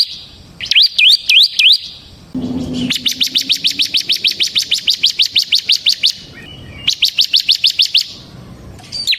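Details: Bar-winged prinia, ciblek semi type, singing 'ngebren' for use as a lure and tutor recording: a few looping whistles open, followed by a fast, even train of high, clipped notes in two long runs.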